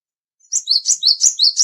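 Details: Brief burst from a cinereous tit: after silence, a quick run of sharp, high paired notes alternating up and down, repeated rapidly and evenly.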